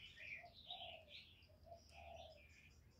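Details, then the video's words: Spotted dove used as a decoy to lure and provoke wild doves. It gives low, soft, rounded cooing notes in short phrases, over louder high chirping and twittering from other birds. "CU GÁY KÍCH BỔI MỚI NHẤT, TIẾNG CHIM CU MỒI CỰC CHẤT, CU GÁY THÚC GÙ, CU GÁY CHIÊU GÙ"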